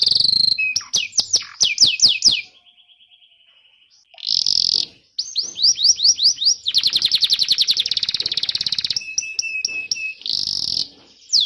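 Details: Canary singing continuously, recorded to teach young birds and restart ones that stopped singing: high bright rolls and sweeping notes in bursts, a thin steady whistle, a brief pause, then long rapid trills and a final buzzy flourish.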